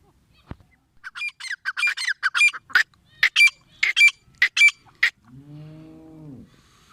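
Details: Grey francolin (teetar) call: a series of loud, harsh, clipped notes in rhythmic groups over about four seconds, followed by a low drawn-out moaning sound at the end.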